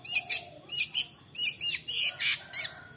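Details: Long-tailed shrike song played as a lure so other shrikes join in singing: rapid run of high, harsh chirping notes and sweeping whistles, about eight bursts in three seconds, continuous and lively.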